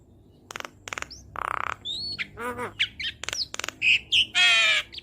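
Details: Asian pied starling, recorded as training song for cage birds, mixing harsh buzzy rasps, clicks, nasal notes and squeaky whistles in a rapid, varied jumble.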